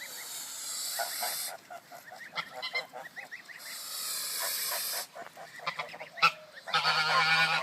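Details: An aggressive or protective goose gives long breathy hisses, three drawn-out bursts, broken up by short nasal honks and clucks in between; the hissing is a warning to back off.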